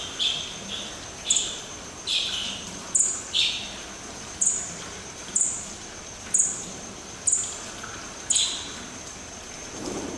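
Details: Madagascar partridge, captive at Dvůr Králové nad Labem zoo: short high chirping notes, some with a brighter upper tone, repeated roughly once a second in an uneven series over a steady high-pitched hiss.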